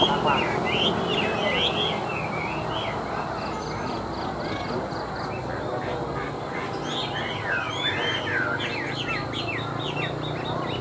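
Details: Chinese hwamei, a tame caged bird placed on a table, sings bursts of quick slurred whistles at the start and again near the end, with a steady background hum and a stretch of quieter, muffled sound between.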